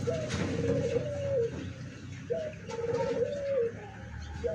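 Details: Zebra dove song from 24 September 2023, given with an open beak: two gentle, rolling coo phrases, each ending in a slight downward glide, over a steady hiss and low rumbling background.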